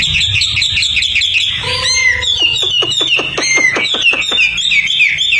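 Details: Hwamei, tame and outdoors, mixing fast warbled whistles with a sustained tone and a quick series of sharp downward-swept chips repeated in rhythm.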